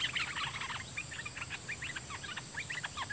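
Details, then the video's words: Red-whiskered bulbul, a decoy bird of the dok taeng type taken back into the forest after a long absence, singing a doubled song pattern at wild birds; dense rapid whistled notes overlapping, with a steady high insect-like whine behind. "เสียงนกกรงดอกแตงEp.46 นกต่อเจ้ามณี เปิดดอกเพลงเบิ้ล!! ร้องริกใส่นกป่าSuara merbah lekir"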